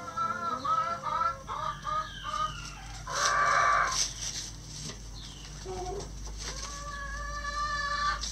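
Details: Backyard chickens foraging through pine needles and leaves for bugs, worms and pecans while a rooster crows. Short clucks first, then a burst of rustling, then a long harmonic crow at the end. Thin, high wild-bird chirps sound in the background.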